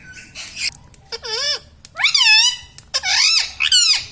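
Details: Talking pet Indian ringneck parakeet laughing: loud squeaky, rising-then-falling harmonic bursts in quick succession indoors, with short clicks between them.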